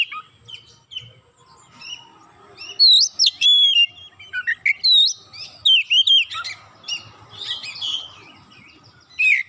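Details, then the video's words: Provoked Oriental magpie-robin in an agitated outburst of isian phrases: soft scattered notes at first, then loud clusters of swooping, wavering whistles and quick chips, followed by quieter twitters and a final loud note. "Kacer sekali pancing langsung emosi bongkar isian"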